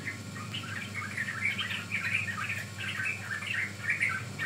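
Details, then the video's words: Yellow-vented bulbul youngster used as a training lure: faint, quick twittering notes run together in short bursts, steady low hum beneath. "Pancingan Ampuh Burung Trucukan Paud"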